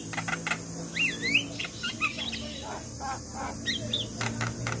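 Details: Javan myna master song for young birds slow to sing: looping whistled slurs climbing and dipping, broken by dry clicks and soft chatter, over a constant low hum.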